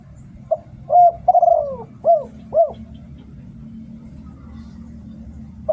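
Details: Spotted dove used as a lure in Thailand: one complete cooing phrase of a short note, a strong coo, a long buzzy falling coo and two short arched coos, followed by several seconds of low hum and one more brief note.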